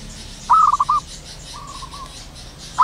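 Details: ['One clear stuttering coo phrase from a wild zebra dove in the morning, a burst of quick pulsed notes closing on a longer tone, followed by a faint distant dove and the start of another phrase.']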